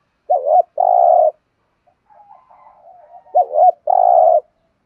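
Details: Thúc gù calling by a spotted dove, meant for stimulating and training decoys: two phrases, each a warbling doubled note and a sustained low coo, separated by soft mumbled notes.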